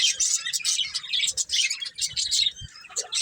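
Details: Pair of breeding budgerigars twittering in rapid clusters of high, scratchy chirps, with faint low tapping sounds underneath.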